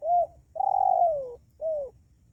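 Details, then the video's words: Spotted dove coo used to lure wild doves: a brief falling note, a long loud coo sliding downward, and a short closing coo, low and mellow. "suara panggilan maut pikat ajaran dijamin tekukur liar dua menit mendekat"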